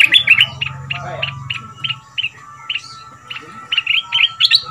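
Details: Caged Red-whiskered bulbul from southern Thailand, a new decoy bird of two months in the cage, 'double' style, singing a fierce song for young birds to copy: short bright chirps repeated about three times a second over a low hum.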